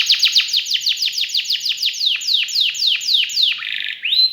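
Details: Caged canary singing a rich, elaborate song: rapid series of high descending whistled sweeps repeated about four times a second, ending in a buzzy trill and a short rising note.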